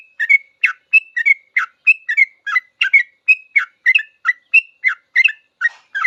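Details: Continuous 'ropel' song of a sooty-headed bulbul, recorded as a master for cage-bird learning: lively chattering phrases with whistled upward notes, delivered in steady quick succession.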